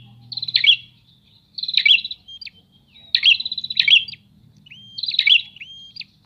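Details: Prinias trading song: four buzzy, trilled phrases spaced about a second or more apart, separated by thin upslurred whistles, against a faint low rumble.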